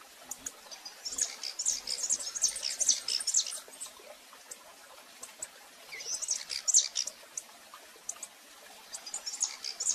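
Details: Female rufous-collared sparrow, recorded live while calling persistently. Dense clusters of high, sharp chips alternate with quieter stretches, and a few scattered ticks fill the pauses.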